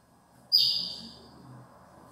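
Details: A female Chestnut-bellied Seed Finch soliciting mating gives one sharp, high, hissing note that trails off over about a second, over a faint low rumble.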